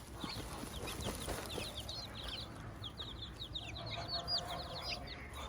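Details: A hen with her chicks on a farm; quieter high, downslurred chick peeps repeat over a noisy background with soft low murmurs.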